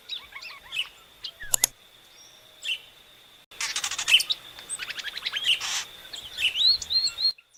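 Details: Epaulet oriole song: sparse whistled notes and a sharp click at first, then after a brief break a dense run of rapid clicks, buzzy bursts and slurred whistles, over a persistent high whine.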